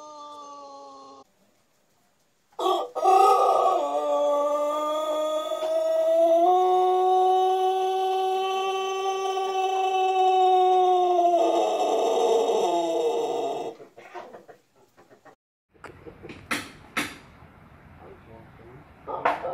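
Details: A Pelung rooster, a prize-winning champion bird, gives a long, drawn-out crow, rich and harmonic, holding steady for nearly ten seconds.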